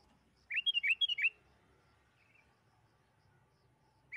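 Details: Sooty-headed bulbul giving one quick phrase of about six bright, warbled whistles that bounce up and down, then a long quiet gap and the start of another note. Used as a lure to bring bulbuls into song.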